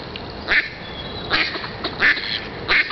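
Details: Ducks giving a handful of short, nasal quacks spaced about half a second to a second apart, over low background hiss.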